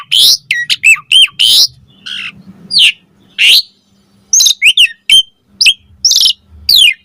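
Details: Asian pied starling singing, meant to draw answers and song from other starlings: clustered whistled slurs and harsh rasping bursts in several busy phrases, with quieter gaps and a faint low hum between them.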